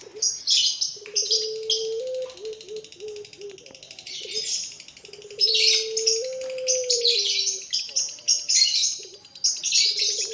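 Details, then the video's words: Well-fed young Barbary doves (puter pelung) give drawn-out, steady mid-pitched tones in long stepped phrases, over a busy background of high, rapid chirping from other birds. "bikin rame sudah pada kenyang anakan puter pelung"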